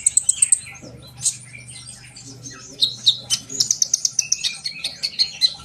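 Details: Sunbird singing, a recording meant to make trainee birds sing along. Bursts of very high, sharp tweets alternate with brief pauses, then quick runs of twittering notes and thin whistles near the end.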